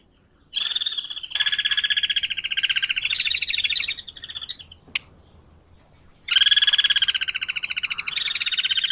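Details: Singing Guira cuckoo (anu branco) from Brazil, South America. It gives long, strident rattling phrases of rapidly pulsed high notes, shifting in pitch mid-phrase. A single sharp click falls between two bursts that are roughly three seconds apart.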